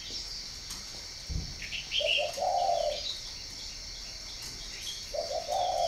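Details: Spotted dove, farm-bred in Ba Vi, northern Vietnam, sings a low crooning phrase that ends in a drawn-out note. A second phrase begins near the end. Chirping birds sound behind it, and there is a brief thud.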